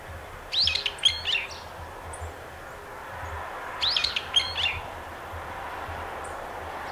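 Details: Brown-eared bulbul giving two separate bursts of harsh, chattering squeaky notes about three seconds apart, over a steady low hum and diffuse outdoor background noise.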